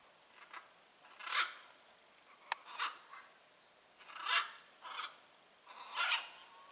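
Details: Wild blue-and-yellow macaw calling in nature: harsh, raspy squawks in short bursts, about one every second or two, some louder than others, with a faint steady high hiss behind and a single sharp click.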